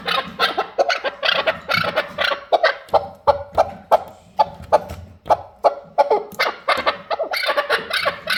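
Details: Chukar partridge calling with a rapid series of loud, harsh clucking notes, about three per second, in uneven bursts throughout.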